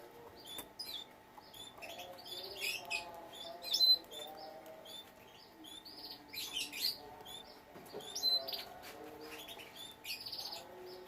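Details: Captive canaries kept for breeding, with canary chicks: bursts of short high chirps and thin twittering notes scattered irregularly over about eleven seconds, with soft rustling and a faint steady low hum behind.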